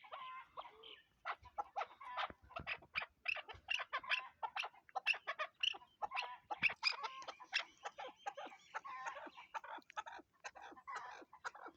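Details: Chukar partridge giving a long, busy series of clucking chuck notes, uneven in rhythm, with sharp clicky sounds mixed through the series.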